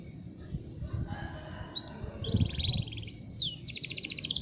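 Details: Local canary singing: after a quiet, rumbling start, fast buzzy trills and brief whistled slurs enter halfway through, in short bursts of rapid pulses, over low background rumble and noise.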